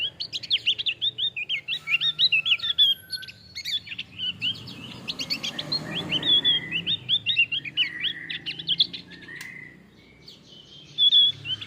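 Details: Male Javan grey-throated white-eye in long, sustained song meant for training other birds; nonstop rapid twittering of sharp, bright, looping high notes, with a short pause before a final burst.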